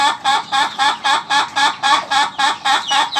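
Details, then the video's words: Laughing chicken (ayam ketawa) crow, a stretch of about twelve quick, evenly spaced cackling pulses, each a short bright nasal hiccup, rolling on at nearly four a second. "Ayam Ketawa Durasi"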